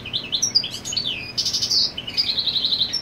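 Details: European goldfinch song marking territory near the nest where the female sits; fast high twittering phrases, a harsh buzzy note midway, then a run of repeated chirps.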